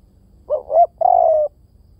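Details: Spotted dove cooing: two short rising hoots run together, a brief gap, then one long steady, slightly falling coo. The phrase is clear and mid-pitched over a quiet, faint low hum.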